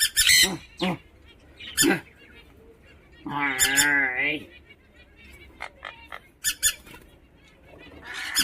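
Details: An angry tame pet Rainbow lorikeet, urged by its owner to "fight", gives harsh, rasping screeches in short bursts, some quick and some drawn out. A person talks between the calls.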